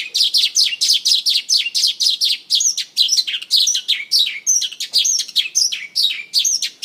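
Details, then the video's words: Mongolian lark in song on stage, dancing as it sings: fast, unbroken rattling sequence of high, clipped descending notes mixed with thin whistles, very dense and energetic. "Mongolian lark singing"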